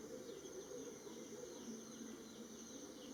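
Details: Greater Coucal (Centropus sinensis), or crow pheasant, in a garden in western Thailand near Hua Hin, gives a low, resonant run of hollow hooting notes over a steady high insect drone.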